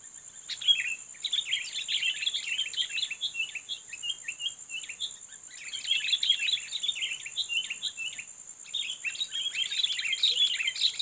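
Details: Sooty-headed bulbul, a fighting bird lured to face a rival, sings three long bouts of busy, bubbling chirps and slurred notes with brief gaps between bouts, accompanied by a steady high whine.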